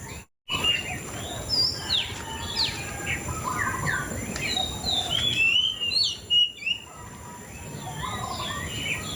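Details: White-rumped shama delivering a long varied song of quick whistled slurs and chirps, phrases tumbling one after another, with low buzzy notes underneath and a brief dropout near the start.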